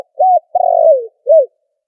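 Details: Spotted dove trapping lure call with background noise filtered out: an arched coo, then a long sustained coo that trembles and slides downward, ending in a short rounded coo.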